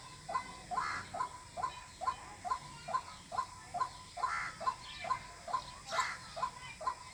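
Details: White-breasted waterhen calling, a recording used as a lure in bird hunting: clipped, even notes repeated roughly every half second in a long unbroken series, with a few soft rustles behind.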